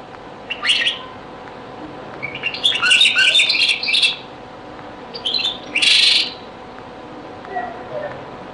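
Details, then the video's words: Very old recording of a European goldfinch song in the Beni Messous 'les avocats' or zaboka style, heard as short bursts of high, chattering twitters separated by quiet gaps, with a faint lower note near the end. "تغريد - تسجيلة جد قديمة بني مسوس ليزافوكا | chant beni Messous les avocats zaboka"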